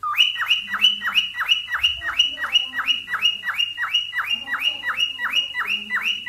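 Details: A cockatiel gives its mating call, rapid repeated shrill chirps, each a bright upslurred whistle, about three per second.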